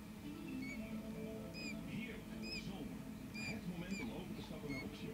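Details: Quail chick only five minutes old, just out of the egg, giving thin, high, slightly falling peeps, roughly one a second, over a low background hum with faint music or voices.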